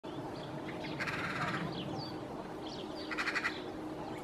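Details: Eurasian magpie perched high in a treetop in Helsinki, Finland, in January, vocalizing for minutes in a song-like way: two harsh, rattling chatters about two seconds apart, with soft squeaky whistled notes between, over a steady background hum.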